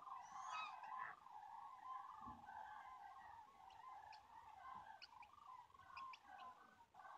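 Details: Common cranes on migration in Europe, September 2016, recorded on a phone: a distant flock gives overlapping rolling, trumpeting calls in a continuous chorus, with faint higher chirps from small birds and a steady background hiss.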